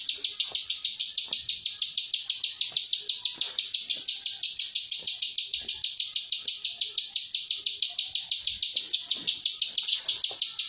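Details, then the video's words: Plain prinia, locally prenjak sawah, singing in the tight rapid-fire style called tembakan rapet: a long unbroken series of high buzzy clicking notes, about three per second, with even volume throughout. "PRENJAK SAWAH TEMBAKAN RAPET"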